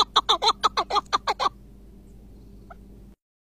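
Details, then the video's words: Iraqi chukar partridge of a long-singing kind: a quick run of about nine rough, clucking notes in under two seconds, slightly accelerating, then near silence with one faint distant note. "IRAK KEKLİK SESİ 🪶 UZUN ÖTEN KEKLİK"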